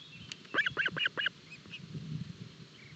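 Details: Osprey chicks being fed at an early breakfast in a forest nest at Barlinek, 25 June 2022: a burst of four shrill, chirping calls in quick succession, then quieter faint notes over low rumbling background.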